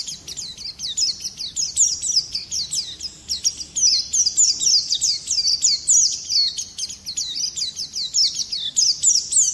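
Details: Tutor and lure song of an Oriental white-eye: continuous high, sibilant twittering of short repeated slurred notes, rapid and even, with a soft background hum.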